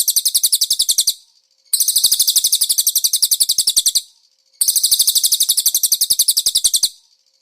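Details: Konin song with cililin-style fill-in, a master recording for training cage birds: fast, high, scratchy chattering trills of evenly spaced notes in bursts of about one to two seconds, separated by short silent gaps; clean, no other sounds.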